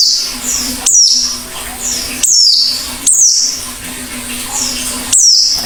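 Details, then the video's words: An Oriental white-eye calling actively: a series of thin, high, descending chirps, some doubled, repeated at irregular intervals of roughly one second, over a constant low hum. "Burung PLECI GACOR BUKA PARUH"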